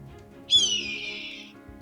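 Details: Red-tailed Hawk (Buteo jamaicensis) gives its iconic scream, often dubbed for bald eagles in films: one hoarse, drawn-out call about a second long, starting high and slurring slowly downward, over faint background music.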